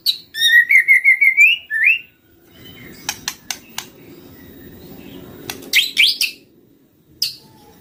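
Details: White-rumped shama lure recording opening with a quick, even trill of whistled notes, then a slurred note, followed by sharp clicks, soft rustling and a few scattered chirps.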